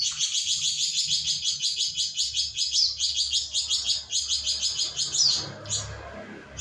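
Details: Flamboyan bird in a cage delivering a long, unbroken chattering song of high, rapidly repeated buzzy notes, mimicking shama and greenbul, tailing off near the end amid faint low background rumble.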